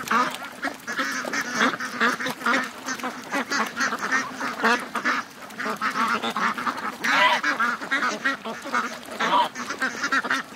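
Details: Morning rush of 700-plus ducks and geese to the lake. A loud, crowded chorus of raspy quacks surges and dips in waves, with dense clusters of calls throughout.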